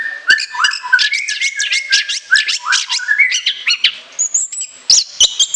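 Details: Shrill song of an orange-headed thrush with long fill: a fast run of buzzy, rasping repeated notes, then higher clear whistles toward the end.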